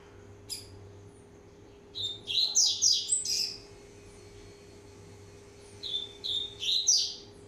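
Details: Rusty-collared seedeater aged one and a half years, warming up: a sharp single note, then a fuller run of high whistled, sliding notes, and after a pause a shorter similar phrase; faint constant hum behind.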